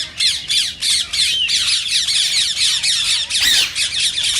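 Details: Indian ring-necked parakeet, green form, calling in a way said to encourage mating in listening parakeets: continuous piercing squawks pulse in quick choppy beats, almost without pause, with one sharper downward stroke past the middle.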